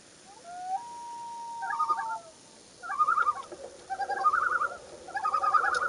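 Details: Common loon with a chick, morning of June 2, 2015: a long pure wail opens, followed by three loud bursts of rapid quavering, warbling notes spaced about a second apart.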